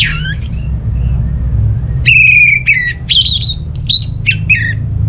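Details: North Bali orange-headed thrush song used to prompt silent home birds to sing: a few high slurred notes, a quiet second, then loud ringing whistles and buzzy rising-falling notes in a quick run, over a constant low hum.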